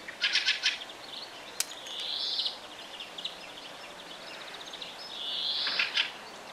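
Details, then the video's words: Common blackbird singing on a spring evening from the top of a pine tree; a burst of bright chips opens, then two separate warbled, sliding phrases follow about three seconds apart, with faint twittering from other birds between them. "Весенний Чёрный Дрозд. Пение"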